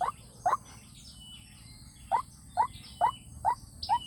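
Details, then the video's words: White-breasted waterhen lure sound for trapping with a speaker: two rising notes, a pause of over a second, then five more at an even rhythm, over low background hum and faint high bird calls. "tiếng chim quốc mồi dung để kep loa chim quốc rừng nghe là đá"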